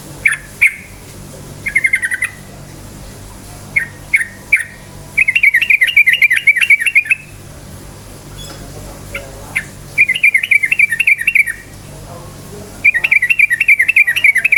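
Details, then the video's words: Yellow-vented bulbul song used as a lure to provoke other bulbuls to sing: bursts of rapid chattering notes in fast trills repeated in runs, mixed with short whistled chirps, separated by brief pauses. "suara KICAU burung trucukan gacor cukcuk ropel, pancingan bagus trucuk jadikan trucukan ropel EMOSI"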